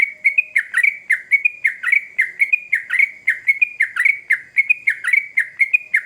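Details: Sooty-headed bulbul, singing vigorously as a lure to draw quick responses from other bulbuls; loud, fast phrases of a sharp downward chirp followed by a steady whistled note, repeated about twice a second without pause, with no other sounds.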